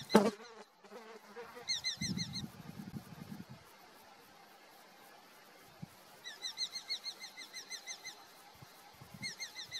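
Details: Eurasian hobbies disputing a food delivery; a rapid series of sharp, high, chevron-shaped notes repeated in bursts, following a loud opening squeal and lower scraping noises.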